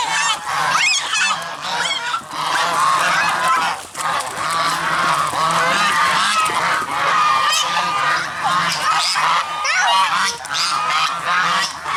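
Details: Geese, filmed alongside black swans, honk loudly and continuously, many overlapping nasal calls forming a dense, noisy chorus that barely pauses.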